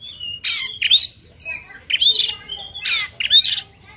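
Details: Sumatran white-rumped shama in fighting mood with its tail spread, singing rough rasping notes interleaved with upslurred whistles and thin level tones, in rapid irregular bursts.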